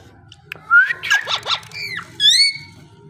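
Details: Parrot vocalizing: a rising whistle, then a run of quick arched squawky notes and a bright, strongly harmonic falling call with a final rising whistle, over a low steady background hum.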